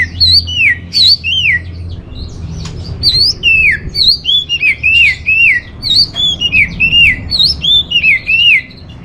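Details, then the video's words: Orange-headed thrush song, used as a lure and master song for training caged birds: loud, clear whistled phrases sliding down and curling up, repeated rapidly in bright varied bursts with short pauses, over faint low hum. "ANIS MERAH Dirumah Pasti Gacor || Pancingan sekaligus Masteran Burung Punglor"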